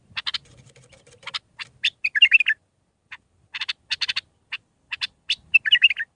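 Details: Mandalawi-style bulbul song of six phrases, used to train young birds: quick runs of hard clicking notes broken by liquid warbling flourishes, with a faint low hum early on.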